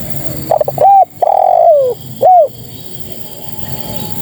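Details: Calling female spotted dove aimed at males: a quick stutter, a hooked coo, a long mellow coo dropping in pitch, then a single arched note before quiet hum.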